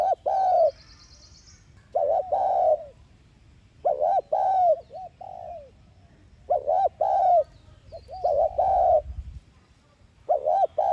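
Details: Spotted dove giving a decoy cooing call meant to stir other doves into cooing: deep, mellow coos in paired, arched notes, phrases roughly every two seconds, with a faint high trill from another bird early on.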